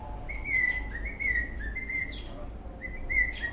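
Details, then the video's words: Eastern rosella parrot dancing in a happy mood chirps a quick series of short, slurred whistled notes, some rising, some dropping, with a brief rustle midway. "The Eastern Rosella parrot is dancing, whistling and chirping in happy mood"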